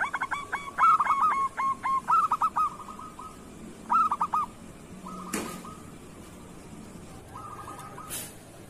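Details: Local zebra dove kerot song for training other doves: loud run of rapid hooked cooing notes, then shorter phrases, fading into softer steady tones with two sharp clicks.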